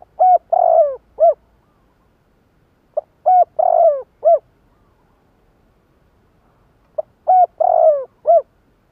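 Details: Spotted dove kept as a decoy to call wild doves, giving three identical coo phrases about every three and a half seconds, each a short pip, a hollow coo, a long purring falling coo and a crisp final coo.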